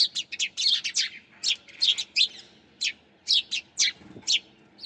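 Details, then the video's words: Chirping sparrows: loud, clear, high chips given singly and in quick pairs and triplets, spaced irregularly across the recording, with little other noise. "Sparrows Chirping Sound"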